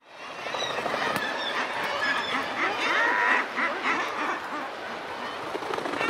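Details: A dense chorus of low, gruff, growling calls from razorbills, recorded close up, with a few mild alarm calls near the start and some wingbeats.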